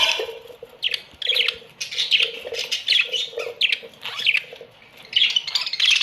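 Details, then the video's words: Colony of Australian budgies giving scratchy squawks and chirps in repeated bursts about every second, voices overlapping, with short quieter spells between. "My beautiful Australian budgies parrots colony"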